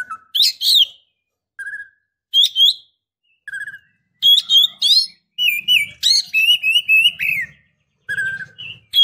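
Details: Female Oriental magpie-robin in breeding condition calling to lure a male into answering; bursts of clear whistled notes and sharp chirps, some rising and falling, in quick uneven phrases with short pauses, over a faint low hum.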